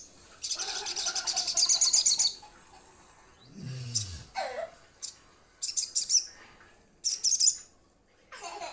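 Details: Crimson sunbird call to companions: a high, rapid buzzy trill of nearly two seconds, followed by short bursts of sharp high notes and a few lower sliding sounds.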